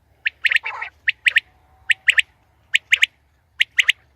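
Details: Female common quail sounds: bright paired chirps with a short grating buzz early on, the pairs recurring about every second over a soft low rumble.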